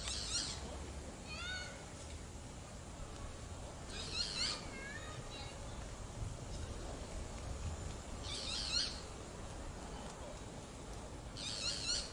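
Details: Boat-billed flycatcher repeating harsh, buzzy high bursts roughly every four seconds, four in all, with softer descending whistled notes from another bird between the first calls and constant low background noise.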